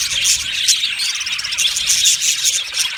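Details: Budgerigar colony in an aviary, Australian budgie parrots: a steady wash of high, dense chirps and twitters from many birds at once, with brief sharper tweets scattered through the three seconds.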